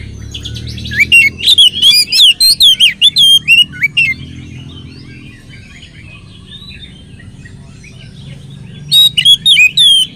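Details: Oriental magpie-robin song, played to lure other magpie-robins into song. A long loud sequence of rapid whistled and chattering notes is followed by several seconds of soft warbling, then a second loud burst of sharp whistles.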